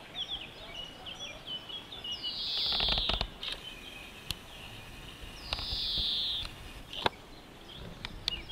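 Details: European greenfinch at La Calamine-Kelmis, Belgium, giving two drawn-out, wheezy buzzing notes about three seconds apart, amid light chirping from other birds, occasional clicks and steady outdoor background noise.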